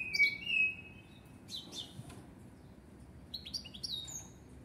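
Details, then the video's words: Common blackbird singing: a clear whistled phrase that drops slightly, then a pause and bursts of high, thin twittering notes near the end, over a low background hum. "طائر الشحرور يغرد تغاريد جميلة"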